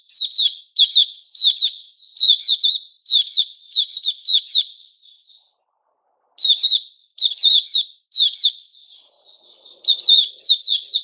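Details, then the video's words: White-rumped shama singing on 29 August 2021: steady, rapid bursts of sharp, buzzy high chirps in tight groups of two or three, nearly continuous, broken once by a two-second silence. "Puteh Raja Sing Buka"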